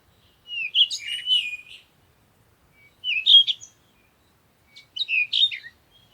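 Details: At morning sunrise, a songbird gives three bright, high chirping phrases of twittering notes, each about a second long and spaced roughly two seconds apart; nothing else is heard.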